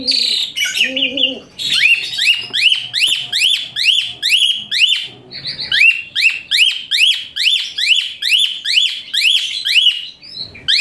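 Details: Asian pied starling in a harsh, high training song for other birds: opening chatter, then a rapid run of sharp upswept shrieking notes repeated more than twice a second, with a faint low cooing at the start.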